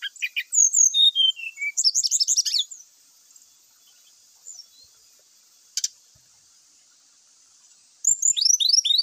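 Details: Brown-chested jungle flycatcher song used to draw other males into fighting: quick bursts of high whistled and slurred notes, a long quiet stretch broken by a brief scratchy rattle, then a fresh burst of rapid descending whistles.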